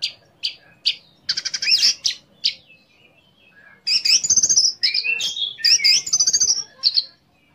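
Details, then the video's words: Caged orange-headed thrush singing a varied song used to provoke other orange-headed thrushes into singing: bright whistled phrases, some rapid trilled notes and sweeping slurs, in bursts separated by brief pauses, with faint low thumps beneath. "PANCINGAN ANIS MERAH CEPAT BUNYI DAN LANGSUNG TELER"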